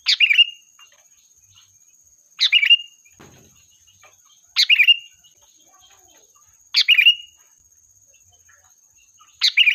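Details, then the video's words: Sooty-headed bulbul used as a lure to call its flock: five quick chattering phrases with a clear closing note, repeated about every two seconds, one soft low thump between them, and a faint steady high whine. "Suara Burung Kutilang Gacor, Pikat handal memanggil kawanan"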